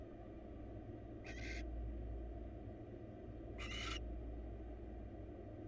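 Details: Two rasping, hissy screeches, well over two seconds apart, come from wild barn owls in a nest box as the male brings the female a mouse, with a faint steady hum in the background.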